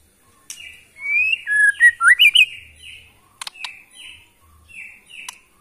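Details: From the forests of Kalimantan, a Borneo white-rumped shama delivers clear slurred whistles and a short bouncing phrase, then repeated falling whistled notes separated by sharp clicks.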